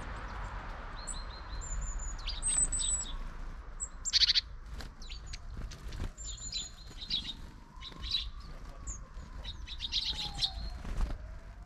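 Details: A flock of long-tailed tits, one of them short-tailed, on 31 December 2022: several birds giving thin high drawn-out whistles, short buzzy bursts and quick chips, overlapping throughout, over steady low background noise.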